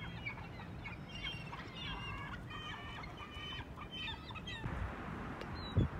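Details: Seagulls calling at Choshi port in Japan, 11 March: a flock's layered squealing and mewing calls in quick succession, with a dull low background rumble and a knock near the end.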